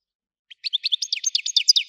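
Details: European goldfinch of the Widani type, praised for its loud voice. A fast run of bright, slightly descending chirps repeats rapidly, about ten notes in just over a second.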